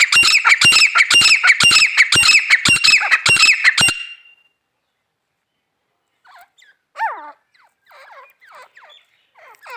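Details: Female grey francolin calling with a loud, fast string of harsh, rasping notes for about four seconds, then quiet, followed by faint short rising chirps.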